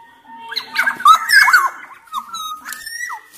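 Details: Black-naped oriole, kepodang emas from Sumbawa, loud lively song meant to prompt other orioles to sing; male and female Javan orioles also said to be heard. Fluty, liquid whistles rise and fall in quick overlapping phrases.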